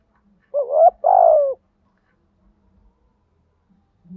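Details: Single urging coo from a decoy spotted dove meant to draw wild rivals: a short rising note, a brief gap, then a longer low coo falling away, followed by quiet.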